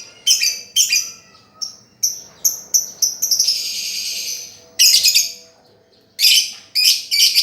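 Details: Lovebird master song for reviving a bird that no longer sings: repeated sharp, raspy shrieks, then a sustained buzzy trill lasting over a second, followed by more loud harsh bursts.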